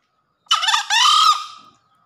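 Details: After a downpour, a green junglefowl in full breeding condition gives one loud crow: a raspy stuttering first part, a brief gap, then a drawn-out hoarse tone that fades away. Nothing else is audible.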